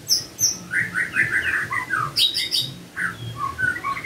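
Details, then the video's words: White-rumped shama song played in the morning to get a silent shama to sing: dense mix of short warbles and high chirps with a steady background rumble. "Pancingan PAGI-PAGI AGAR MURAI GACOR❗sekali coba murai DIAM langsung bunyi"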